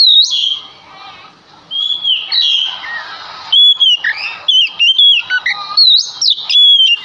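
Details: Constantly singing male Oriental magpie-robin used as a lure to draw song from other magpie-robins. A scratchy, jumbled warble gives way to a run of loud, pure, slurred whistles, short and evenly spaced.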